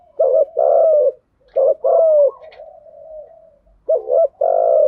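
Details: Spotted dove lure call, male and female, in thúc gù and gáy gọi styles for stimulating decoy doves: loud mellow coo phrases of a short doubled note and a longer descending coo, with a faint trailing coo between.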